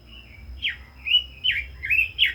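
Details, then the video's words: Red-billed leiothrix, a caged songbird, singing loud, spirited song: a few slurred whistled phrases, some held and wavering, others sweeping sharply down, with short pauses between them. "Chim Quế Lâm kích giọng hay, căng lửa - Burung Robin Gacor | Chim Kim Oanh Mỏ Đỏ"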